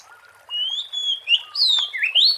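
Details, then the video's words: Wild Oriental magpie-robin song for use as a lure: a short burst of level whistles leading into sharp upward slurs and a final rising whistle, loud and clear. "SUARA ASLI BURUNG KACER GACOR BUAT PANCINGAN DAN PIKATAN"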